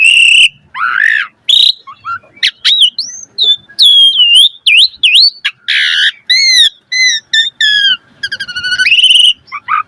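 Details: Richly varied jalak suren song, gacor with full isian, used to train starlings: buzzy opening notes, a run of wavering high whistles, then repeated falling two-part whistles and a harsh rattle.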